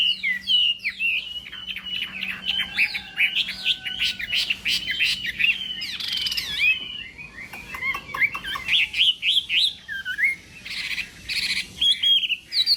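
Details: Chinese hwamei contest singing at morning voice training, a busy mix of whistled slurs, harsh chatter and buzzy fragments, with a faint low steady hum behind.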